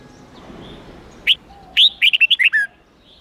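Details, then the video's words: 8-9-10 note wild-standard song of a red-whiskered bulbul for teaching young birds: one lone whistle, then a brisk phrase of about seven clear, bouncing notes sliding down to a lower ending. "Luyện Chào Mào Hót Giọng 8-9-10 Ép Chim Non Học Giọng Chuẩn Rừng"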